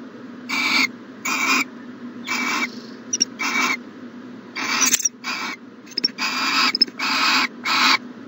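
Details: Owl at a nest box in the morning, 14 January 2020, giving harsh, broadband hissing screeches of about half a second each, roughly ten bursts in quick, uneven succession with a faint tonal streak inside each.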